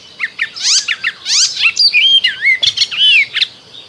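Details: Spring song of an Icterine warbler, dense and varied, with rapid scratchy bursts, quick down-slurred notes, and twisting, wavering whistles running almost without pause.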